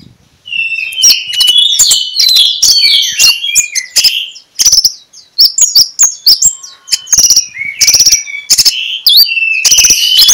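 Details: Magpie-robin singing ngeplong style in the morning, a lure to get other magpie-robins singing: a long, continuous stream of varied whistles, trills and sharp ticking clicks with only brief pauses.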